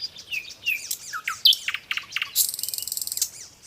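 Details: Nightingale song rich in variety, with whistled slurs, piercing high notes and clicks, ending in a long, rapid, buzzing rattle before a soft closing note.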